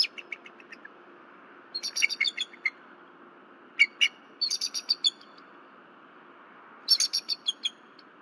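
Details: Female bald eagle at her nest at Berry College, disturbed at night on 15 February 2023 by something flying around the nest, calling loudly until her mate arrives. She gives high, thin, rapid chittering series in three bursts of quick repeated squeaky notes.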